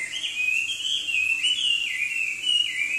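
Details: Unbroken whistled warbling from a Chinese hwamei of southern China, the clear tone wavering up and down in smooth loops for three seconds with no pauses.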